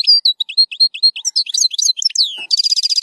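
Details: European goldfinch in zilzal-style tutoring song for young goldfinches, featuring strong rolls. Repeated bright chirps and mixed twittering build, then a falling slur leads into a loud, rapid buzzy roll.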